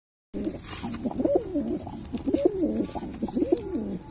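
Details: Pilkha breed pigeon cooing: low, warbling coos in bursts roughly every second, each rolling up and down, repeated steadily over a faint background hiss.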